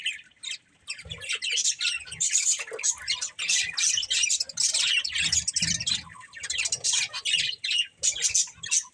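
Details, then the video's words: Breeding pair of budgerigars chirping, a busy stream of scratchy, warbling chatter with quick high notes, broken by short pauses and soft low thumps. "Cute Budgies Chirping Sounds"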